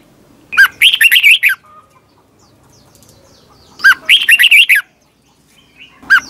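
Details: A red-whiskered bulbul sings twisting-voice competition song in the morning, used to train other bulbuls: two rich, tumbling phrases of whistled notes about three seconds apart, and the start of a third at the end.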